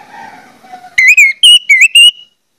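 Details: Orange-headed thrush song meant to get other birds of its kind singing: five clear, wavering whistles in just over a second, each note slightly rising or falling, after a faint low hum.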